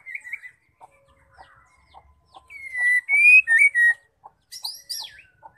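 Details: Female white-rumped shama song for stimulating males: quiet ticking notes, then a loud burst of rising and falling whistles and a high chattering flourish.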